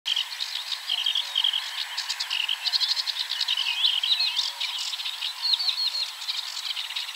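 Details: Sedge warbler singing at coordinates 53.286375, 22.608654: a hurried, chattering medley of dry churrs, clicks and sweeping whistled notes, fast and varied, delivered continuously throughout.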